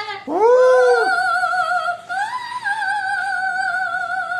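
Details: A parrot sings on a staircase in long, swooping tones with wavering vibrato, like imitated operatic singing, amid laughter, music and people singing to it.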